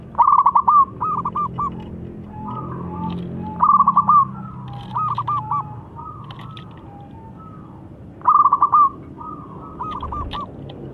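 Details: Zebra dove from the wild with a big voice, used to lure other doves into singing; several stuttering phrases of quick coos, each followed by a softer rolling tail, repeated every few seconds.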